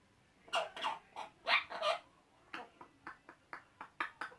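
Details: Pair of male Eclectus parrots kept as pets, chatting with silly noises: short rasping notes in uneven bursts, louder at first, then a quicker series of softer clipped squawks.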